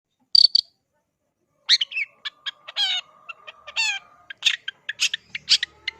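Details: Long-tailed shrike, kept for songbird contests, with its song filled with mimicked voices of other birds: two high whistled notes, a pause, then a rapid string of varied chirps, buzzy trills and sharp clicks over a faint steady hum.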